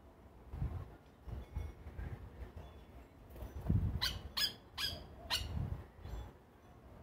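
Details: Yellow Oriole, locally called Plantain bird, visiting a bird feeder in Trinidad for an evening meal before settling down. Four harsh, rasping notes come close together midway through, over a low rumbling background.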